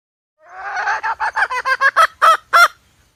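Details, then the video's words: Hen call intended as a trapping lure: a hoarse, buzzy opening swells into about eight sharp, nasal notes. The notes grow louder and more spaced toward the end, then stop abruptly. "suab poj qaib seev zoo cuab"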